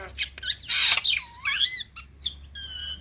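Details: Black-winged myna song used as tutoring material so young birds learn and imitate it: harsh bursts, then looping whistled notes that slide down and up, ending in a bright, harmonically rich tone.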